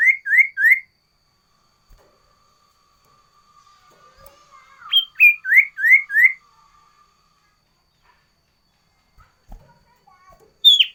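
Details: Sooty-headed bulbul singing loudly in varied phrases: a quick run of three rising whistles, a pause, then a high note followed by four rapid rising slurs, and a final high whistle after a long gap.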